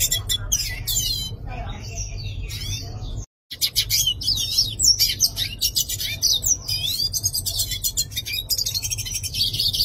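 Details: Yellow-faced siskin singing, a lively high-pitched jumble of twitters, buzzy trills and quick whistled slides, interrupted by a brief silent cut after three seconds, then continuing unbroken.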